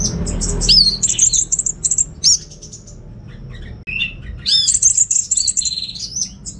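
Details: Orange-headed thrush, a kept songbird from Singaraja, North Bali, singing in the chattering receh style. High whistled slurs and sweeping notes come in bursts, with a quiet pause near four seconds before a dense run of trills resumes.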